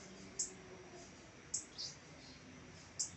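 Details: Blue-black grassquit delivering three or four clipped, piercing high buzzes at irregular intervals over a quiet hiss.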